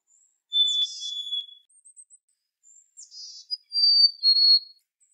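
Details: A black-capped chickadee gives the fee-bee ("hey sweetie") song, two pure, high whistled notes about three seconds apart, with soft buzzy chirps mixed in; a song mainly of males, used to attract females and signal aggression or defend territory.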